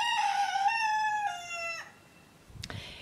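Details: Roosters crowing on a volunteer farm in Nova Scotia, Canada, interrupting someone filming: a loud, harsh crow sliding slightly downward over nearly two seconds, then fading into quiet with a short knock.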